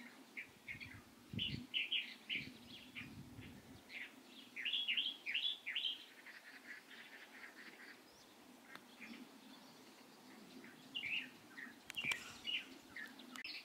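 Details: Light-vented bulbul recorded on 16 April 2023: bursts of short chirping notes, some in quick clusters, others slurred and rising, scattered through the recording amid faint low rumbling background noise.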